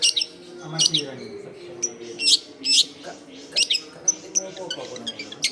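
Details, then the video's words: Long-tailed shrike singing energetically, used to lure wild birds: scratchy high bursts and sharp looped whistles in quick irregular succession, with soft low murmuring in the background. "SUARA CENDET GACOR AMPUH BUAT PANCINGAN CENDET BAKALAN"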